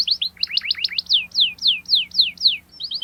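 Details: Canary singing sharply to press a rival and teach young birds: a quick jumble of stacked chirps, then evenly spaced falling whistles, about three per second.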